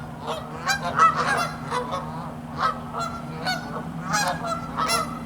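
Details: Canada geese on a freezing pond in cold weather, resting and walking on the ice. A dense run of loud, nasal honks overlaps throughout, several birds calling at once. A steady low hum sits underneath.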